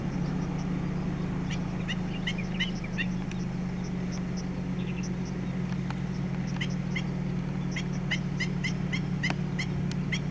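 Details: Black-winged Stilt going back and forth giving sharp, yapping alarm notes in short irregular bursts to warn its chicks, at a wetland in Yuanlin, Taiwan, 23 July 2016, over a steady low engine-like hum.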